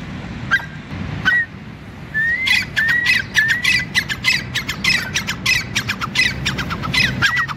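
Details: Male grey francolin (teetar) calling: a few scattered harsh notes, then a steady run of loud, grating squawky bursts, each starting with a short rising whistle. The bursts repeat rapidly, about every half second, over a low rural background hum.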